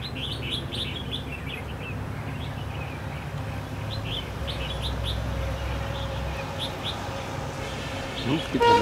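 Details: Red-whiskered bulbul used as a decoy during trapping on 23 October 2016, singing short, bright warbled phrases in quick bursts over steady low rumbling noise; a brief spoken voice and a clicking sound near the end.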